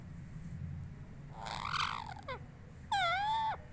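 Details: A pet parrot speaks: a breathy, rising-then-falling utterance, a brief pause, then a clear, nasal, drawn-out syllable that dips and rises, against low room hum.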